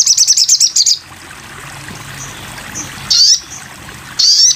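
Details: Sogon bird on a masteran tutoring recording: a quick run of high, buzzy, evenly repeated notes, a quiet pause, then sharp high chirps.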